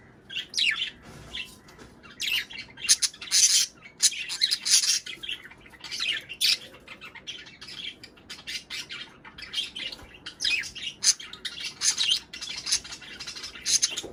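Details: Budgerigar chatter meant to stimulate breeding: a long, continuous run of high twittering, squawky notes and rapid chirps that rise and fall without pause, indoors.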